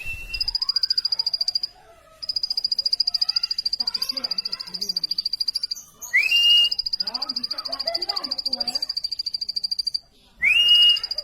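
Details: Plain prinia: a long, fast train of thin, high, buzzy notes with two short breaks. Twice a sharp rising whistle cuts in, and softer low warbling calls sit underneath.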